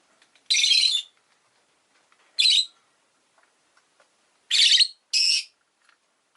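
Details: A pet Rosy-faced lovebird gives four loud, harsh, high-pitched shrieking chirps in short bursts, spaced a second or two apart, with quiet between; town noise such as traffic may be present.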